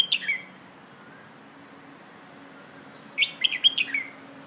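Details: Red-whiskered bulbul singing a 'Phleng Ho' style song used to train young birds: two short, bright, warbling whistled phrases, one at the start and a quicker run of notes after a three-second pause, over a low steady hum.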